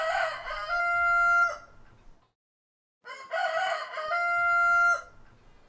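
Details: Rooster from a compilation of heritage chicken breeds gives two long crows, each a rough rising burst that settles into a steady, drawn-out ending, separated by a short silence.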